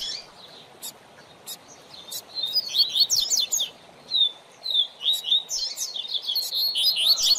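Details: Double-collared seedeater tutor song, played for training a young bird: sparse high ticks, then a run of fast, sharp, high whistled notes and slurred phrases. The phrases come in bursts with short pauses between them.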